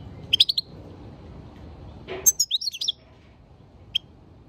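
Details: European goldfinch: a quick cluster of bright, high tinkling notes, then a pause, then a longer twittering burst of sharp chirps, and a single thin note near the end, over a soft background hum.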